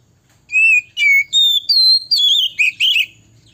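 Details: Loud, clear song of a male oriental magpie-robin, meant to make other males heated and agitated: about seven strong whistled phrases, wavering and rising, delivered rapidly with brief pauses, ending in warbled notes.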